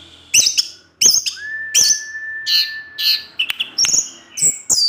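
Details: Orange-headed thrush singing in the afternoon to tempt other thrushes into song: sharp high chips and scratchy notes, one long steady whistle held about two seconds, then bright twittering phrases.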